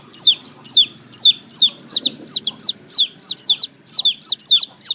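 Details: Baby chicks calling in a busy run of shrill, descending peeps, about three per second, over a low background rumble.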